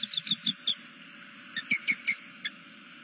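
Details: Bald eagle in southwest Florida, recorded by a nest camera, vocalising to another eagle during a tail-stretch. A few high chirps are followed by a pause, then a second short run of piping notes.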